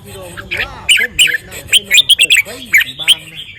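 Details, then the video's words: Rapid run of sharp, chirpy whistled notes from a red-whiskered bulbul, about a dozen quick bursts, over a man's voice talking in the background. "นกกรงหัวจุก เบิ้ล ริก ทรงอย่างหล่อ ร้องอย่างเก่ง"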